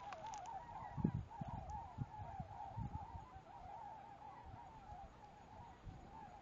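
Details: Flock of Arctic Tundra Swans near Jarvis, Ontario, on 19 March 2011, some taking off from a field during spring migration while the rest stay grounded; a steady chorus of wavering mid-pitched whoops and yelps, with low wind and handling rumble.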